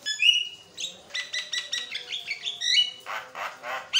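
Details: Nonstop Javan myna chatter used to train and stimulate other mynas: clear whistled notes alternating with rhythmic, harsh, rasping pulses repeated about four times a second, ending in louder scratchy bursts and a final sharp whistle.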